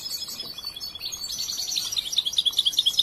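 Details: Rapid liquid twitter from a young goldfinch kept and trained at home, its song still unfinished, building toward a run of clear, evenly repeated high chirps near the end.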